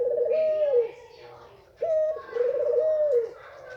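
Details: Female Barbary dove of the white form, calling to bring males into breeding mood. A long, trembling coo is followed by a quick, flat note and another extended, wavering coo.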